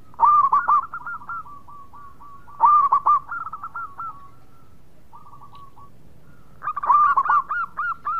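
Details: Local zebra dove singing repeatedly: three loud bursts of bent cooing notes, each trailing into a long series of softer, rapid, slightly descending pulses, with brief quiet gaps between phrases.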